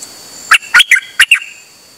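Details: Dok Taeng bird singing continuously while out on a rare outing, 8 September 2023; five sharp, twangy notes in two small clusters, slightly bending in pitch, against a calm background.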